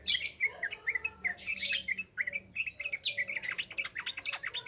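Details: Yellow-vented bulbul song in the continuous wild 'ngropel ngalas' style, used as a lure for training young birds: dense bursts of quick chirps and sharp buzzy notes, spaced in rapid phrases with brief pauses.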